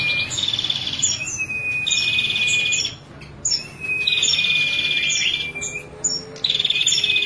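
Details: A female ashy prinia sings in clear bursts of buzzy rattling trill lasting about two seconds, each with a thin level whistle and crisp high ticks, separated by brief gaps.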